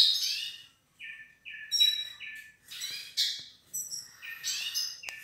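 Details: A pair of Yellow-faced Siskins (Spinus yarrellii) sings a quick, high twittering of buzzy notes and short level whistles, with brief pauses between bursts.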